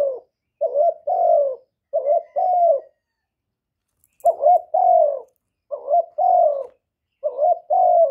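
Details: Young male spotted dove cooing loudly: five double-note phrases, a short quavering note then a longer coo that slopes downward, with a longer pause midway and otherwise steady spacing.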